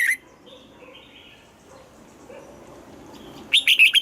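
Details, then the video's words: Red-whiskered bulbul in morning voice training, double-note 'âm kép già rừng' style: the tail of one note at the start, a long near-silent stretch with faint distant chirping, then a brisk phrase of clear warbled whistles closing the recording. "Luyện giọng cho chào mào hót sáng, ép chào mào hót âm kép già rừng hay tuyệt!"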